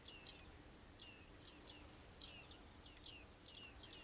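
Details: Bearded reedlings (bearded tits) calling: a lively series of bright, metallic 'ping' notes, each sliding sharply downward, given singly and in quick pairs about every half second over soft background noise.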